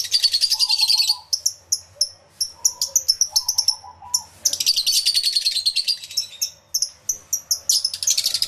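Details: Lovebirds crowded in an aviary, taped with a camera and two external microphones, alternate between thick bursts of high chatter and crisp, separate squeaky chirps in quick succession.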